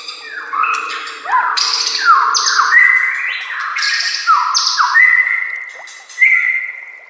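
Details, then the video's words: A white-rumped shama sings a master song for training caged birds. Downslurred whistles alternate with harsh scratchy bursts in a rhythmic series, over a faint low hum at the start. "SEKETIKA PASTI NYAUT dan GACOR bila murai batu anda dengar suara MASTERAN burung seperti ini"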